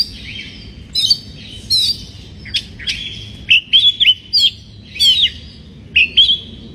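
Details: White-rumped shama in breeding condition singing to provoke rival birds: scratchy high notes at first, then a string of clear, looping whistled notes in quick succession, each about a third of a second.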